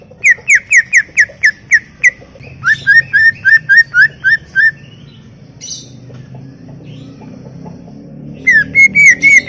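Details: Greater green leafbird in full song: a fast run of about eight clipped whistles, then a second chattering series of higher notes, a pause, and a closing burst of bright, rising whistles over faint low hum.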